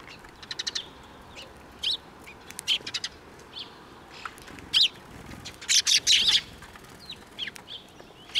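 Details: Several sparrows arriving to be fed at a Tenmangu shrine, 21 April 2024, give sharp, high chirps in irregular clusters throughout, with a louder run of overlapping notes in the middle.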